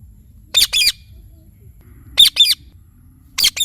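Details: Harsh, rasping two-note squawks from an Indian ringneck parakeet, three bursts spaced about one and a half seconds apart, loud and grating against near silence.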